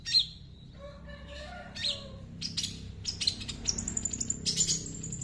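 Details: Long-tailed shrike singing and mimicking small birds: scattered high thin notes and short buzzy bursts, then rapid sharp chips and twittering phrases that grow denser toward the end.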